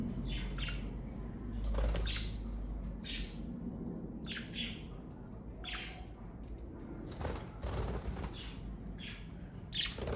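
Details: Budgerigars from a pet parakeet family chirp in short scratchy notes, repeated irregularly over ten seconds, against a steady low background hum.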